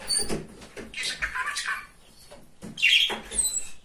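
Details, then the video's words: Pet male budgerigar, described as very chatty and funny, talking indoors: scattered raspy, speech-like bursts separated by short pauses, ending with a louder, brighter buzzy phrase. "Говорящий попугай"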